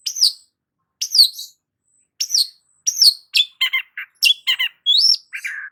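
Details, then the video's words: Long-tailed shrike (cendet) in gacor song: shrill notes sweeping downward at about one per second, breaking into quicker, varied, scratchy and buzzy notes. "BURUNG CENDET GACOR"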